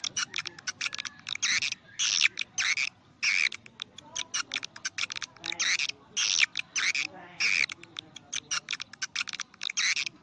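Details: Swiftlet lure sound used to draw swiftlets to swiftlet houses. Clustered, crackling high chirps come in irregular bursts throughout, with brief pauses between groups.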